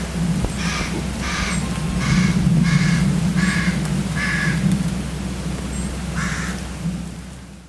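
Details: Hooded crows (Corvus cornix) on the Scottish island of Eigg give a run of harsh, hoarse caws, about one every second, over a steady low rumble like wind or distant surf.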